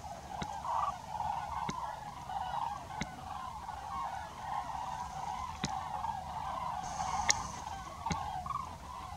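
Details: A flock of common cranes around a temporary pond at Aldeaseca, Ávila, Spain, in December 2023 keeps up a steady chorus of overlapping, rolling trumpeted calls, with a few sharp clicks throughout.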